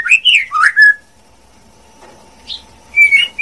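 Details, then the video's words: A female white-rumped shama gives short whistled song phrases, a few swooping slurred notes, a brief pause with a soft high note, then a sharp bright whistle ending the clip over a low hum. "TIẾNG CHÒE LỬA MÁI HÓT CHUẨN MỚI NHẤT"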